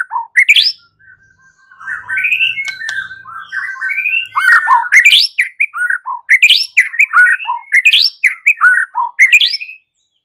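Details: Fighting song of a white-rumped shama that trains other shamas to respond: a long, energetic sequence of sweeping upward whistles and sharp chips, repeated in bursts with a steady thin tone in the background.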